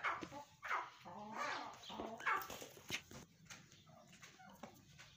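Grey francolin giving loud, harsh, ringing calls in quick succession, about one a second, strongest at first and then fading, over a faint background hiss.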